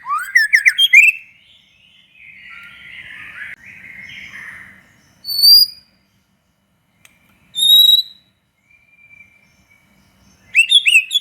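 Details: White-rumped shama song played to provoke other shamas to sing: rapid rising chattering burst, a softer warble, then isolated sharp high notes separated by silence before another quick burst.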